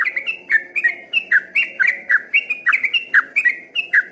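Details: A yellow-vented bulbul delivers rapid 'ropel' singing, sounding from a distance like a straw-headed bulbul: quick bright warbled notes tumbling in uneven pairs and triplets, continuous throughout.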